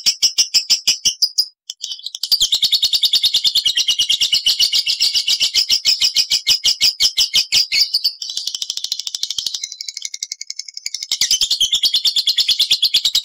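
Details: Lovebird ngekek, recorded from birds in separate cages as a lure for other lovebirds: long, intense, high-pitched rattling trills of rapid pulses with a brief break and a softer, lower-level stretch midway.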